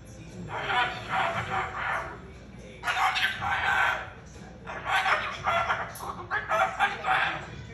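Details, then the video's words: A pet Moluccan cockatoo, loud enough to drown out the TV, lets out four long, harsh, raspy screeches, each lasting over a second, with television sound underneath. "Can’t hear the TV over Moluccan Cockatoo"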